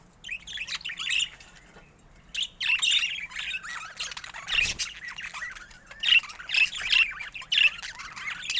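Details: Pet budgerigars produce a scratchy warble followed by a series of short, bright chirps repeated roughly every half second, with brief pauses between phrases.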